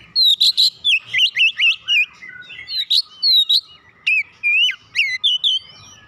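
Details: Oriental magpie-robin urged into full song: dense, loud sequence of whistled loops, chips and sweeping notes delivered almost continuously.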